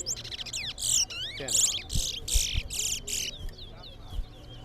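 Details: A seed finch in a towa-towa bird singing competition gives a fast, varied song of bright whistles and buzzy rising and falling slurs in quick bursts, with low thumps and faint background noise.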